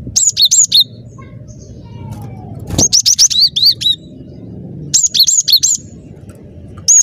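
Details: Lure recording of a gacor cinereous tit: repeated bursts of high, ringing two-toned notes, each falling then rising, in groups of three to six, with a brief thud and quiet low rumble between.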